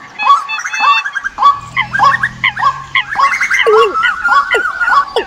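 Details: Bird decoy recording for the migration season. Layered chirps and down-slurred whistles from several birds, one longer wavering whistle near the end, with a faint low hum in the middle.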